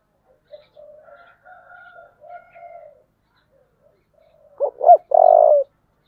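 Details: Spotted dove calling in 'giọng thổ' style to provoke a contest: quiet murmured cooing, then near the end one strong phrase of a clipped double note and a long, low, steady coo.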